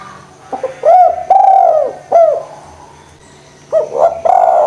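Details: Spotted dove cooing, played to stimulate lazy doves to call: low mellow hooting coos in short groups, each note rising then falling, with a pause of over a second between phrases and a faint steady background hum.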